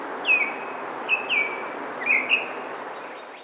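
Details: A Baltimore oriole in a Maynard, Massachusetts neighborhood on 9 May 2023 sings short, rich whistled phrases of slurred, fluty notes separated by brief pauses; finding: Baltimore Oriole.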